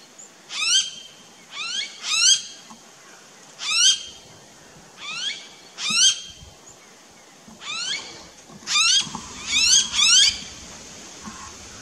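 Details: A Blue-faced honeyeater in an Australian backyard garden gives loud, sharp, upslurred piping notes, singly or in quick pairs and triplets, about one a second; otherwise quiet.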